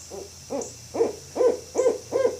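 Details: A barred owl gives a run of six low, hoarse hoots at about two per second, growing louder after the first two, with a faint high hiss behind.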